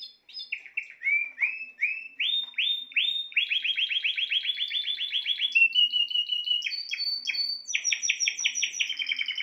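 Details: Spanish timbrado canary singing a loud, continuous song of metallic rolled trills and rapid repeated notes, shifting pitch between phrases with brief high whistled segments; no other sounds.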